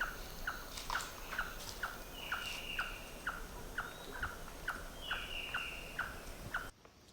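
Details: Slaty-tailed trogon along Pipeline Road, Gamboa, Panama, in March; a long run of about fourteen short, sharp notes at a steady pace near two per second, with faint buzzy insect or bird sounds behind.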